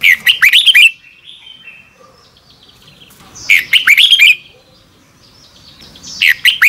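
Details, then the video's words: Red-whiskered bulbul singing its morning double-twist style song as a training lure: three quick phrases of bright, slurred, warbling whistles roughly every two and a half to three seconds, with soft thin calls between. "Luyện chào mào hót sáng 2022 - Hót hay nhanh căng lửa | Ép bổi Giọng xoắn kép"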